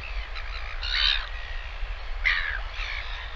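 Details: Northern royal albatross chick calling while a parent returns to feed it lunch, live nest camera, 20 August 2023; two short harsh, slightly harmonic call bursts about a second apart over a low steady rumble.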